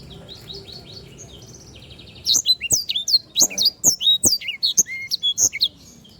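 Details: Canary, locally called sanger, a lively singer used as tutor song for other birds: faint chirps over a low hum, then from midway loud, high, sharp down-slurred whistled notes repeated rapidly, about two per second, until near the end.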